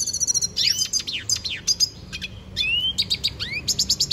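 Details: Venezuelan goldfinch singing: a fast, varied string of high chirps, upswept whistles and short trills, with brief pauses between phrases and a rising slurred note near the end.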